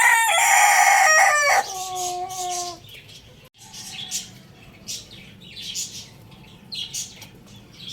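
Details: Rooster crowing: a loud, harmonic-rich crow fills the first three seconds and ends in a drawn-out, slightly falling note. Faint chirps from small birds follow through the rest of the recording.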